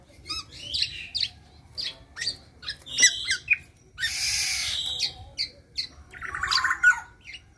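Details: Young local black-naped oriole, no longer spotted, producing scattered chips and squeaky notes, then a long harsh scratchy rasp followed by a buzzy, nasal, wavering phrase.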